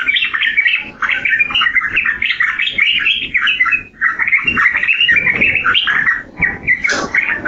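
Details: Yellow-vented bulbul singing a continuous run of bubbly, warbled notes, slurring up and down, with brief pauses near one and four seconds and a sharp higher note near the end.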